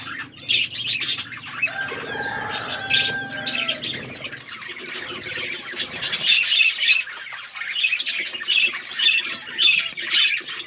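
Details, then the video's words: Budgerigars, described as wild budgies, in an outdoor aviary, chirping as a group: a dense, continuous chatter of high, scratchy chirps and warbles that overlap without pause, with a brief lower whistled tone near the start. "Wild budgies in my outdoor aviary birds chirping sound"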